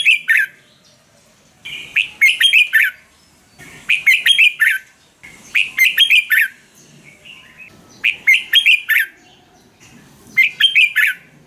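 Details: Caged-bird training song of a Red-whiskered bulbul from Thailand, used to make birds lively: five quick phrases of chirpy, liquid warbles, each about a second, repeated roughly every two seconds with quiet gaps.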